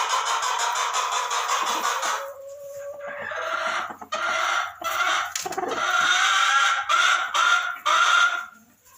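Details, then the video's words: A Barred Rock laying hen in a nesting box gives a steady run of harsh, nasal clucks and drawn-out squawks, with a few brief pauses. "Barred rock making sound in nesting box"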